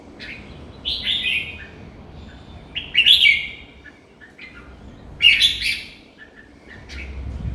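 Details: Captive red-whiskered bulbul singing short bursts of sharp chirps and slurred whistled notes, three main phrases spaced a couple of seconds apart, with quiet background hiss between.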